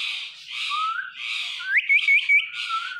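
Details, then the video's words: Indian ringneck parrot chattering in harsh, hoarse speech-like bursts, with a low gliding whistle beneath. Near the middle come a few quick, bright, clipped chirps. "So Much Speaking Parrot Talking"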